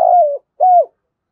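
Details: Cooing spotted dove in the 'thúc gù' style, played to make newly caught birds coo: two smooth, mellow, slightly falling coo notes, the first longer, separated by a brief pause.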